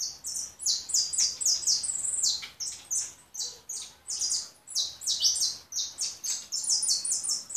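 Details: Goldfinch pouring out a dense stream of sharp, high chirps and buzzy trills, phrases following one another almost without a break for over seven seconds.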